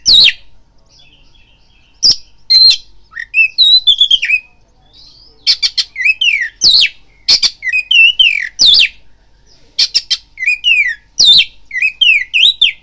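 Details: Provocation song of an oriental magpie-robin, used to rouse a bird to fight: sharp clicks and repeated downslurred whistles in short varied bursts, separated by brief silences.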